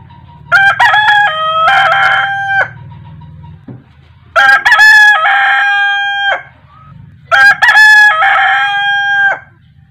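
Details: A rooster crows in the morning in Asia, three times about every three and a half seconds, each a loud harmonic cock-a-doodle-doo ending in a long held note, over a low engine-like hum.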